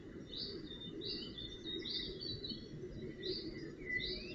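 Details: Northern goshawk young cared for at the nest, June 2018: drawn-out high calls come in quick succession, with a few lower slurred notes toward the end, against steady background noise.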